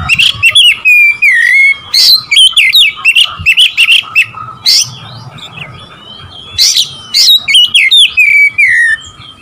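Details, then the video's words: Oriental magpie-robin (kacer) singing to provoke rival birds: loud, varied whistled phrases with sliding notes and harsh broadband bursts, rapid bursts about 140 per minute, and a steady faint high tone in the background. "memancing emosi Kacer lawan"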